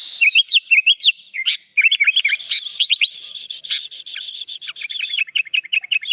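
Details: Sooty-headed bulbul in full, vigorous song stuffed with imitated phrases, meant to tutor birds: continuous chatter of curling, up-and-down whistled notes packed closely together, growing denser and scratchier toward the end.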